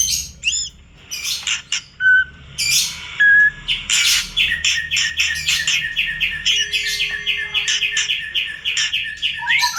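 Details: White-rumped shama singing in the morning: loud, varied phrases of clear whistles, sharp upslurred notes and harsh chatters, then a long run of rapid repeated notes; faint low hum in the background.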